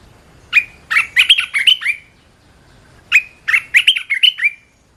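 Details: Two matching phrases from a red-whiskered bulbul, each a cheerful run of about seven rapid, bright whistled notes, separated by a silent gap of just over a second.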